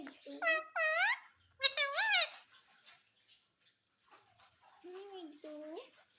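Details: Indian ringneck parakeet, a talking pet said to say mummy and papa; two shrill, rising-and-falling harmonic phrases ring out, followed by quieter speech and lower voiced sounds.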